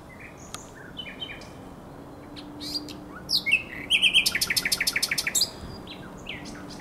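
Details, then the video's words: Common nightingale on the Żerański Canal at night, April 2022: scattered soft chips and varied notes, then loud clicking notes and a rapid run of about twelve repeated sharp notes; a faint low hum runs underneath. "Śpiew słowika rdzawego na Kanale Żerańskim"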